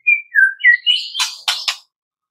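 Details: Brief burst of white-rumped shama song at morning, used as a lure to get captive birds singing: a few smooth whistled slurs rising upward, followed by three harsh, scratchy notes.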